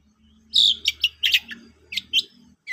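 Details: ['Long-tailed shrike singing a varied string of short scratchy chirps and squeaky notes in irregular bursts over a soft low hum.']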